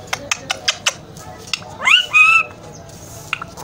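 An Alexandrine parakeet gives a harsh, rising squawk with a drawn-out nasal voice-like phrase, after a run of sharp clicks and taps.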